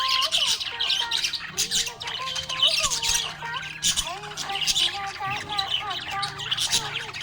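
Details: Budgie in a happy mood, chirping: raspy warbling chatter with short squawks and fast twittered runs, alongside a low hum and wavy tonal sounds.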